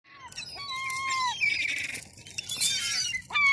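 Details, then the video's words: Seagulls on a seafront on a cold Sunday afternoon, giving a few drawn-out, falling cries that overlap one another, with some hiss and clatter in the background. "Seafront seagulls this Sunday"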